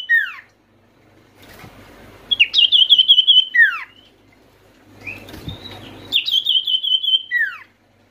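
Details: Oriental white-eye used as a caller for lazy or stressed white-eyes: two bursts of quick, high, buzzy trills, each closing with a steep descending slur, separated by soft twittering and faint rustle.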